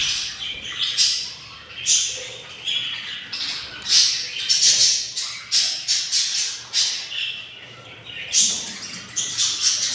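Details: Begging from six hungry budgerigar chicks in the nest, day 24: a dense run of short, harsh, hissing squawks pulsing rapidly, several per second, with overlapping voices throughout.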